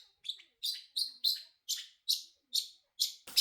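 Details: A pet male Pacific parrotlet gives about nine sharp, high chirps in quick succession, roughly three per second, ending with a brief clatter.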